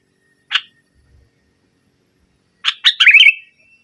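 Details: Sooty-headed bulbul (kutilang) in energetic song, used as a lure to provoke silent bulbuls: one sharp chirp, a pause, then a quick burst of bubbly, tumbling notes.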